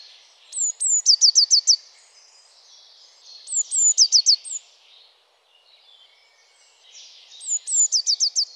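Eurasian blue tit singing three phrases, each one or two thin, very high notes followed by a quick, slightly falling trill, about every three seconds.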